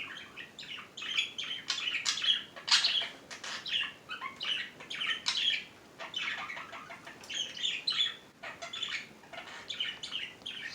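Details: Pet budgerigar in Minnesota, kept with other budgies, keeps up a busy, scratchy warble of quick chirps and squeaks.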